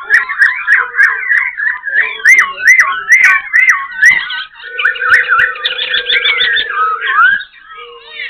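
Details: A black-throated laughingthrush, wild-caught and about one and a half months in captivity, kept at Tân Túc, Bình Chánh, Ho Chi Minh City, sings a continuous run of loud, fluty, warbling whistles while dancing its tail and wings, over a steady low hum.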